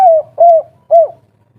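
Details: Spotted dove (tekukur), agitated kuk 3 call to prompt other doves to answer: three slightly falling, mellow cooing notes spaced about half a second apart.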